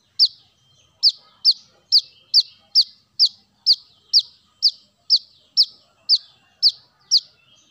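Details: Lure recording of a brown-throated sunbird (kolibri kelapa): a clean run of piercing high notes, each dropping quickly in pitch, spaced roughly half a second apart with brief pauses, over near silence.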